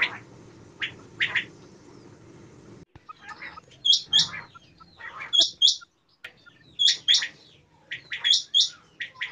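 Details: Common quail giving sharp, high, clipped notes, usually doubled and sometimes tripled, in bursts about every one and a half seconds, each burst led by fainter lower rasping notes; a low background hum fills the first few seconds.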